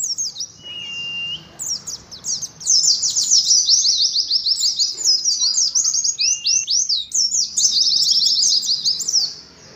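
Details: Oriental white-eye in competitive ngalas song: dense, rapid run of high, sharp descending chirps forming a long twittering trill, with a thin steady whistle early on and brief pauses between bursts.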